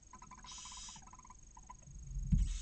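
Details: Barn owls inside a nest in Cabañeros National Park, with a chick only hours old as the male brings a mouse. A rapid run of short, even clicking notes is broken by a brief harsh hiss, then dull knocks at the end.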